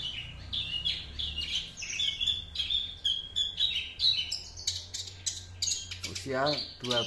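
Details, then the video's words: Juvenile Horsfield's bush lark from Java, aged two months, performing imitated master song. High twittering and whistled phrases run on steadily, and a man's voice cuts in near the end. "branjangan java usia 2 bln sudah mulai membawakan materi masteran nya"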